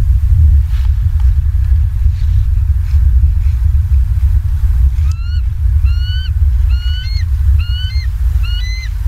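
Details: Southwest Florida bald eagles on a live cam at 19:15, 28 October 2022: after five seconds of low rumble, a run of sharp, high, slightly upslurred chirps repeats about every half second to the end.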